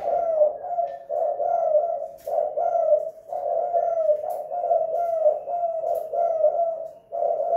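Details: Tekukur or spotted dove calling at home in the pikat two-kuk hanging guk pattern, a near-continuous chain of throaty coos with slightly falling drawn-out notes and brief clicks between phrases.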